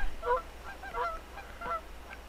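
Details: Canada geese in a field behind a home on 1 April 2014, calling to distant geese before taking off, give three nasal, two-toned honks about every 0.7 seconds over low wind rumble.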